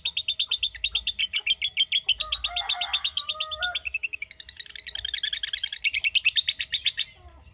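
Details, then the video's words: Long ngekek of a lovebird, the trill that ngetik calling aims to prompt: an unbroken, rapid rattling trill wavering in pitch, with a brief lower whistled tone in the background partway through. "Love Bird Ngetik Cara Cepat Memanggil Love Bird Agar Ngekek Panjang"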